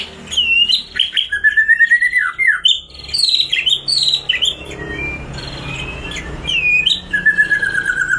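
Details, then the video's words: Murai batu, the white-rumped shama, singing its rich 'bongkar isian' song, played to coax silent birds into singing. Bursts of bright, swooping whistles and chattering notes. A rougher, noisier stretch in the middle gives way to clear, falling whistled phrases. "Suara burung murai batu bongkar isian gacor.. COCOK UNTUK murai macet bunyi.."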